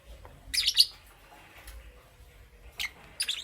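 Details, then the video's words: Morning chirping from Parblue Euwing green opaline and green opaline lovebirds: a dense cluster of shrill, scratchy chirps early on, a lull, then two short harsh bursts near the end. "Lovebird Chirping Sounds"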